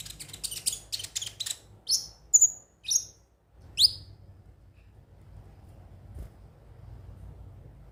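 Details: Lure recording of a ruby-cheeked sunbird to get birds singing daily: a quick string of dry, high ticks, then four separate sharp, downslurred squeaky chirps, followed by quiet.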